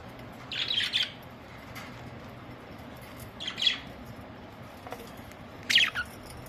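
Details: Pet budgerigars on a very hot summer day, 23 May 2023, around 50 degrees: three bursts of harsh, scratchy squawks, each about half a second long, spaced a few seconds apart, over steady low background hum.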